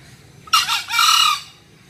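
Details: One green junglefowl crow: an abrupt raspy syllable, a tiny break, then a longer hoarse note that fades away, with little else heard.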